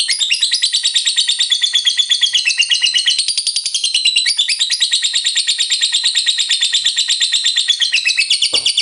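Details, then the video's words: Lovebird delivering continuous ngekek, a relentless high-pitched chattering of harsh, rapid notes that runs unbroken for nearly nine seconds with slight rises and falls in pitch. "LOVEBIRD FULL NGEKEK"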